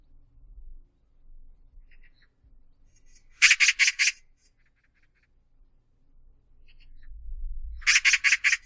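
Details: Magpie giving two bursts of harsh, rattling chatter, each four rapid broadband notes, with faint softer notes between and low background rumble.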